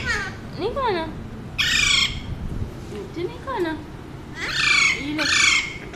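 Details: Pet male Alexandrine parakeet at home mixing loud raspy squawks with softer, gliding, voice-like warbles and chatter, the harsh squawks coming in pairs near the middle and end of the stretch.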